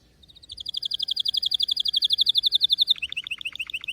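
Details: Canary trilling: a long, fast rattle of evenly repeated high notes that builds in loudness, then breaks into a slower run of chirped, dropping notes.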